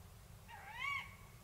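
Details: Tawny owl recorded in the province of Córdoba gives a single sharp, rising call with a squeaky top, set against steady low background hiss.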